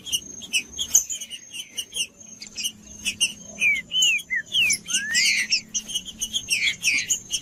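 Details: Green-winged saltator singing in the Judas style, meant to warm up a quiet bird: short whistled slurs, some rising and some falling, mixed with dense chirps and a steady thin high tone throughout.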